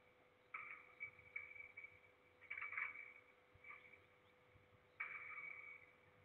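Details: Peregrine falcon in Trzebież Forest District, recorded 6 September 2022 in the morning. Loud, hoarse, harmonic calls come in rough bursts of about one second, with pauses between them. A steady hum runs underneath.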